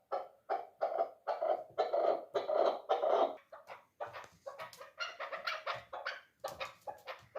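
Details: Chukar partridge, a three-year-old dulan hunting bird, calling in rough, throaty clucks that build into longer, louder bursts before breaking into faster, choppier chatter.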